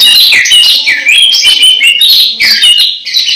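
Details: Nearly moulting caged orange-headed thrush sings a continuous, rich run of varied whistled and warbled notes, fast and loud, with hardly a pause.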